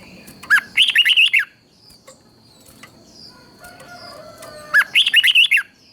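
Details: Red-whiskered bulbul from Thailand, its song used to stir other bulbuls: two rich, fast warbled phrases of about six sliding notes each, with soft background chirps between them.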